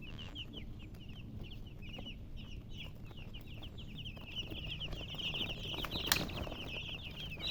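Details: Several baby chickens chirp in a dense stream of thin, high peeps, roughly one or two per second each, growing busier toward the end, with a low background rumble and a sharp knock.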